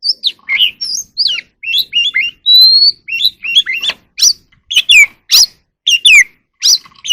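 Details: Evening song of a wild oriental magpie-robin as it sings and dances: a lively, varied flow of whistled phrases with downslurred and upswept notes, one drawn-out clear whistle, and sharper, louder notes toward the close.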